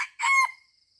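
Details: Red junglefowl in Aceh, recorded while being lured at Taman Rusa: the tail of a crow, a loud hoarse note with a ringing tonal middle that fades quickly into quiet.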